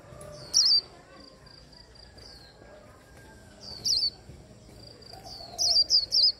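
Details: Japanese white-eye held in the hand and prompted to sing, giving short bursts of very high twittering notes separated by soft thin whistles and quiet pauses.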